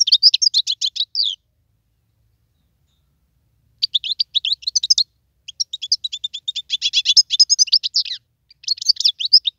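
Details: Wild European goldfinch in song, delivering high, tinkling twittered phrases of rapid chirps, a pause of a few seconds, then longer, denser runs of jangling notes, clean with no background sounds.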